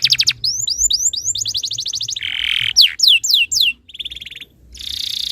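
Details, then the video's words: Canary song used as a tutor to set other canaries singing: quick rising chips, a fast roll, a harsh buzzy burst, several loud downslurred whistles, then a soft rattle and a final buzz. "MASTERAN BURUNG KENARI ABAD INI - BIKIN KENARI LAIN IKUT BUNYI"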